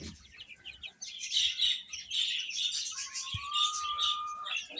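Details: Chicks feeding give a dense run of high, rapid peeping chirps, overlapping continuously, with a long, level lower whistle in the second half and a faint knock.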